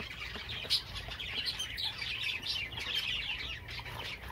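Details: Java sparrows in a lively high-pitched chorus of rapid chirps and trills, with a sharp click early on and fluttering sounds throughout.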